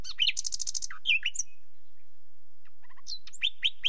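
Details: A nightingale opens with a buzzy rattle of rapid repeated strokes, adds slurred whistles, falls quiet, then returns with soft paired notes and loud repeated chips.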